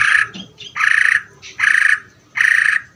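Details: Greater green leafbird singing in the ngeder style: four loud, harsh, buzzy bursts, each about a third to half a second long, spaced roughly every 0.7 seconds, with a few softer notes between them.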